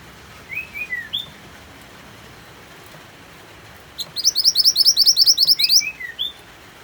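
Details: Mantenan white-eye song paired with rain sounds: gentle falling slurred notes, a long silence, then a rapid chattering string of about fifteen high rising whistles, ending with more soft downslurred notes amid steady hiss.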